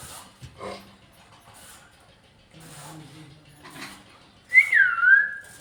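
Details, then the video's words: Pet parrot saying bye at the end, one bright whistled phrase that rises and then falls, after faint background speech and low rumbling noise. "My cute parrot say bye at end"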